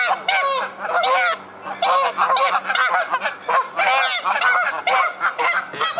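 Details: Aggressive fight between geese with feathers flying: dense, overlapping harsh nasal honks in rapid bursts for the whole stretch, loud and continuous, several birds calling at once.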